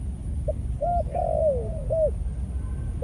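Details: Decoy male spotted dove of a Malaysian line, caged, calling in breeding mode. There are a few short coos, then one long, slurred, descending note and another brief coo, over a low rumbling background.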